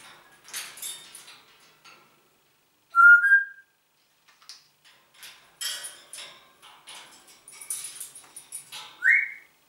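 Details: Congo African grey parrot talking German ("Guten Morgen, Deutschland"), raspy speech-like chatter in short bursts broken by two clear whistles, one steady and one sharply rising near the end, in a quiet room.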